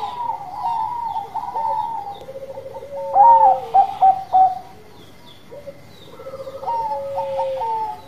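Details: Zebra dove, Bangkok type, in steady song used to provoke other birds: quick runs of mellow staccato coos at a higher pitch over a lower sustained cooing line, a louder burst of clipped notes midway.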